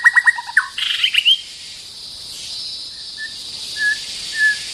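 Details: White-rumped shama, a territorial bird facing a rival, gives a quick burst of varied whistled and chirping notes, some rising, then pauses before soft, evenly spaced whistles. A steady high insect buzz runs throughout.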